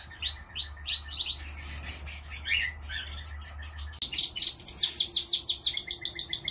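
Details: Canaries singing in a home aviary: bright rolling trills and repeated chirped syllables, ending in a fast, evenly pulsed high trill, with a low hum in the first half.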